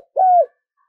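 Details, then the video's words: Decoy spotted dove calling to lure wild birds. It gives a single smooth, low coo lasting about a third of a second, steady and then dropping slightly, followed by silence. "Chim cu gáy mồi và tiếng cu gáy mồi kích bổi"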